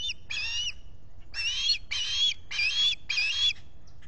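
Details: Osprey at its Salt Point nest, Finger Lakes, US, July 2021 morning, with a visitor at the nest. Loud whistled chirps, each about a third of a second, repeated roughly every half second after an opening pair. Solar-powered nest camera.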